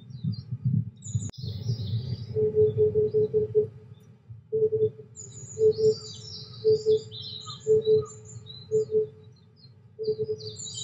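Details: Oriental cuckoo heard in the background on a cloudy day at 23°C, with white admiral butterflies flying. Hollow, low doubled 'po-po' notes repeat roughly once a second, with other birds twittering high above and a steady low rumble.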